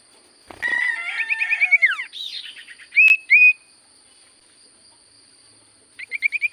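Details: Common Iora song: a quick, rattling series of buzzy notes that slide down, then two loud separate whistles, and after a pause a rapid run of short whistled notes. A steady faint high tone sits underneath throughout.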